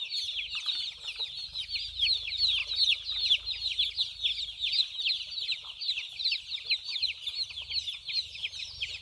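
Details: Group of white baby chicks running about and drinking water; a busy, pulsing chorus of thin high chirps, many callers overlapping in quick downward slides, rising and falling in loudness every second or so, faint low rumble beneath.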